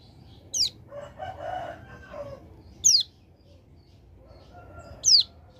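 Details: Hill prinia from a mountain area in a tutor recording for songbird keepers. It gives sharp, high, downward-sweeping notes about every two seconds. Soft lower chattering is heard between them.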